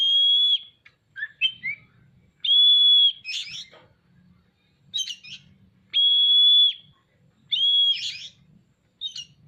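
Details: Oriental magpie-robin singing vigorously, tail opened. Four long pure level whistles alternate with harsh chattering and scratchy fragments across the phrase, with quiet low background noise.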